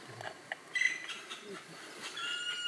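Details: Black woodpecker chick leaning out of its nest, begging: a run of harsh, buzzy calls with stacked overtones, uneven at first and then swelling into a louder, more continuous stretch toward the end.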